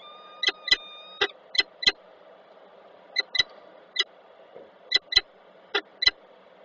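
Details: Peregrine falcon pair meeting in a nest box in Koszalin on 10 October 2024. Sharp, clipped calls come in pairs and short runs, eleven in about six seconds, over a steady indoor hum.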